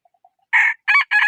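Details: Rooster crowing: three loud, harsh bursts in quick succession, the opening of a cock-a-doodle-doo, with faint soft clucks before it and no other sounds.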